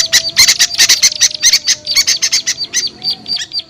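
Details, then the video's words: Small birds calling in a lure recording for hard-to-attract small birds. Quick sharp chips, about two per second, form an uneven stuttering series, fading to thinner notes at the end. "SUARA PIKAT AMPUH UNTUK BURUNG KECIL SUSAH TURUN"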